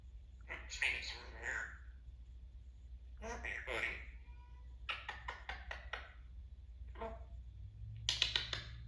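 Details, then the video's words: A male Timneh African grey parrot chatters in short bursts of speech-like babble, squawks and quick clicking notes, with a low steady hum beneath. "African grey timnah parrot a little chatty today"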